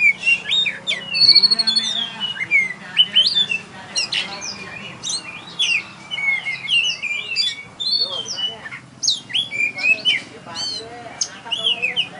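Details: Contest-winning oriental magpie-robin at a songbird competition in Tebas, pouring out rapid, varied song: sharp chips, whistled slurs and twittering bursts, with low crowd noise and other birds faintly behind.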